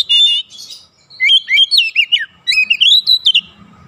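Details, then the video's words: Oriental magpie-robin song on a lure recording for making birds sing: a rich, varied warble of slurred whistles climbing and dipping in quick succession, the notes delivered in tight clusters. "PANCINGAN KACER LEBIH CEPAT REAKSI GACOR BONGKAR ISIAN"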